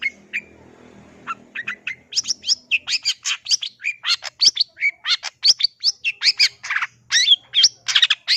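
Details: A long-tailed shrike with a song full of mimicked bird voices delivers a dense, fast stream of varied whistles, chirps and scratchy notes, nearly three a second, after a few opening calls over a low hum.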